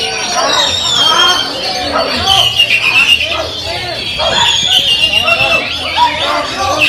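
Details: Oriental magpie-robin singing at a songbird competition in front of judges; loud, high whistled phrases mixed with harsh, scratchy notes pour out almost continuously over steady crowd chatter and voices.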